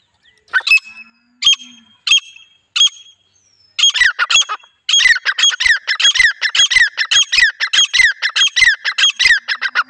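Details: Female grey francolin calling, a sound used to lure wild birds: a few spaced harsh notes, then a fast, steady run of loud, ringing repeated notes, over a quiet background.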